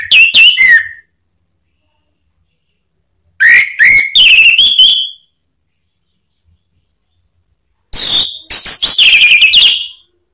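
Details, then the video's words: Male orange-headed thrush delivering ngeplong song to provoke an answering bird: three loud bursts of quick, varied whistles with rising and falling slurs, each about a second or more long, spaced by silent gaps. "ANIS MERAH SPONTAN EMOSI NYAUT BUNYI NGEPLONG"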